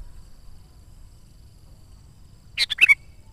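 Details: Sooty-headed bulbul in active song, meant to attract wild birds: after quiet, one fast bubbly phrase of three or four notes ending on a whistled note.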